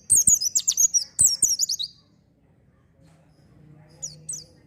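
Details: Lure song of the oriental white-eye (pleci), 'gacor' singing meant for untrained birds: about two seconds of quick, high, scratchy twittering, then near silence with a low hum and two faint distant chirps.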